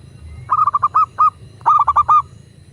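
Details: Local zebra dove coo meant to spur other doves to sing: two close phrases of rapid, rolling short notes, each ending in a separated fuller coo, clear and loud with light low hum behind.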